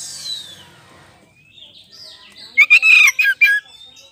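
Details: Oriental magpie-robin (kacer poci) in lure song meant to make other birds answer; faint hiss first, then a loud burst of short, harsh, chattering notes near the end.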